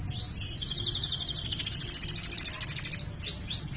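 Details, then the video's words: Canary in energetic song used as a training model for silent canaries: a long fast trill of rolled notes held steady, then sharp rising whistled notes, over a faint low hum. "Masteran suara burung kenari GACOR ngerol cuit cuit nembak ‼️ Kenari macet akan BUNYI"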